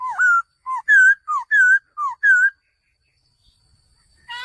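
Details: Male laughingthrush alternating low and higher short, mellow whistled notes, seven in a row, then silence and a final harsh note.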